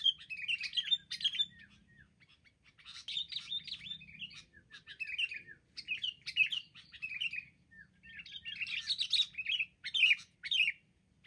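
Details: Wild sooty-headed bulbuls attacking in a group, eventually brought down: repeated bursts of bright, bubbly chattering separated by short pauses, with slurred falling whistles between phrases over eleven seconds.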